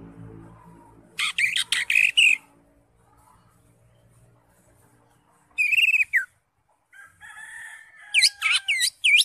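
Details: Lively green leafbird song used to stir a silent caged leafbird: a burst of harsh rapid chattering notes, a pause, a short rasping whistled phrase, then rapid sweeping chips and sliding whistles near the end.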